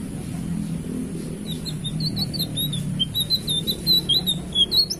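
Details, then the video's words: Blue flycatcher singing: high, thin, quick twittering notes that start softly and grow louder, over noticeable low rumbling background noise. "kicau nyaring tledekan biru"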